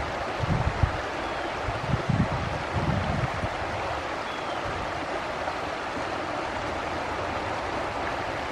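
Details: Steady broadband rush like a stream or wind on a forest trail in Markham, with a few low thumps early on and no calls.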